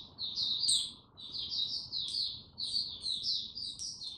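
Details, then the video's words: White-eye kept as a songbird, 6 March 2022, warming up before opening into full song; rapid high chattering twitter in three short bursts with sharp upper chirps, soft hiss beneath. "Mata Puteh Before he open buka Tsunami Video 1 gaining confidence to buka slow n steady"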